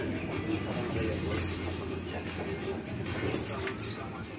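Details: White-eye 'cit cit' calls used to stimulate other white-eyes into singing: two groups of very high, sharp, downslurred chips, three or so in quick succession, separated by about two seconds, over steady low background noise.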